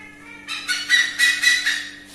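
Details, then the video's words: Wild pied hornbill visiting a backyard garden, recorded from indoors behind dark window glass: loud, harsh, nasal cackling notes repeated about four times a second, over a steady low electrical hum. "Hornbill / Burung Enggang (Pied Hornbill / Enggang Tangling"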